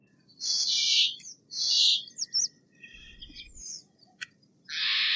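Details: Steller's jay uttering two drawn-out hoarse screeches, a cluster of squeaky twisting notes and clicks, then another long grating screech at the end.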